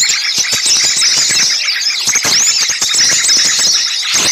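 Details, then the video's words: Crowd of small birds calling excitedly, recorded as a lure for catching birds: high thin whistles, rolling squeaks and twitters layered together, punctuated by sharp ticks and a short quieter patch midway. "suara pikat burung kecil ribut"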